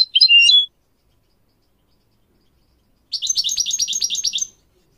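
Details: Singing goldfinch used to teach young goldfinch mules and canaries. One short, sharp twittering phrase is followed by a pause, then a rapid, rolling high trill of chattering notes.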